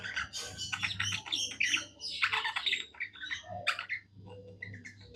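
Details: Budgie singing happily as a kept pet: dense, busy chatter of scratchy chirps, clicks and whistled squeaks with barely a break, over a constant low humming background.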